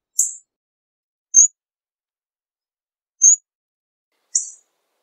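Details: Four isolated, high, sharp 'tsik'-like notes from a hawfinch, irregularly spaced over several seconds, with complete quiet in between.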